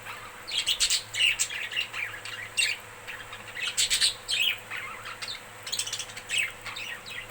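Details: Budgerigars making happy sounds chatter in a busy stream of high chirps, squeaks and warbled notes.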